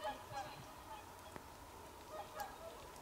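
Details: Wintering whooper swans, 24 December 2020, give short nasal honks at the start and again near 2.2 to 2.4 seconds, over a steady background hum.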